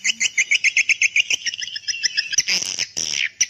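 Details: Swiftlets calling to young birds: an even run of short, bright, twittering chirps about five per second, then louder buzzy rasping notes near the end.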